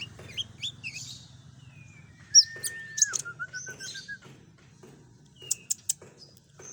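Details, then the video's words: Lure song of the common iora: scattered high chirps, then a long level whistle that drops into a rapid string of short, evenly repeated notes, ending with sharp high clicks and a faint low hum beneath. "suara pancingan burung konin full isian"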